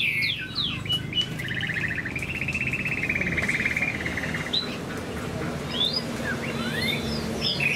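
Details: Chinese hwamei kept in a cage while moulting, singing high: a few sharp whistled slurs, then a long buzzy, rattling strain, then scattered whistled notes over a steady low background hum.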